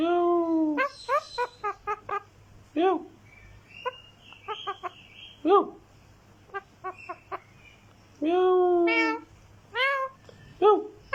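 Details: Green talking parrot giving a rapid series of short harmonic squawks and arched notes, some longer nasal whines and a flat held tone, with background music.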